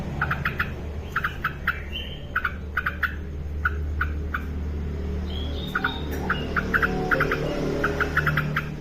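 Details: Yellow-vented bulbul singing actively in a tutoring recording: clusters of short, sharp, bubbling notes repeated every second or so, with a few brief slurred whistles, over a steady low hum.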